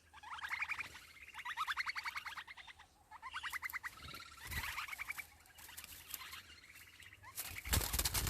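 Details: Sparrow nestlings calling for food in the nest: fast, regular trains of short chirps, about three to four per second, in several overlapping runs, ending in a loud noisy crackle.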